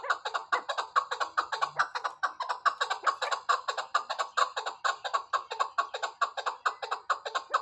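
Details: Repeated harsh clucking chuk notes from a chukar partridge, delivered at an even pace of just over two per second for the whole stretch.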